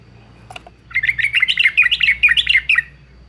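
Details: Yellow-vented bulbul (Pycnonotus goiavier) from Semarang, Central Java, giving a quick, bubbly run of liquid chirping notes for about two seconds over a faint low hum. The recording is meant as a lure to set other bulbuls singing.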